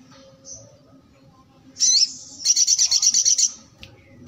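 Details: Sogok ontong song: a sharp high twittering note, then a quick, pulsing high trill of about ten notes lasting around a second, ending in short thin chirps.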